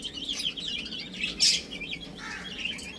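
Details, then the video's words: Chicks playing and eating give quick high peeps in overlapping bursts, with one sharp loud rustling crackle midway. "Adorable Little Chicks Chirping Sounds"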